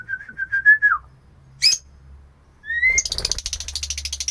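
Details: Female Oriental magpie-robin calling for the male: a wavering whistled phrase that slurs downward, a brief high squeak, a rising whistle, then a fast buzzy rattle of repeated high notes.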